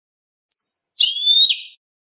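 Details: European goldfinch in clean song style (cante limpio), recorded for tutoring captive birds: a short high whistled note, a pause, then a longer bright, buzzy trilled phrase; no background noise.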